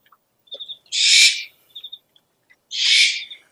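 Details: Owl lure sound: two long, harsh, hissing screeches about two seconds apart, separated by short high thin piping notes and faint chirps.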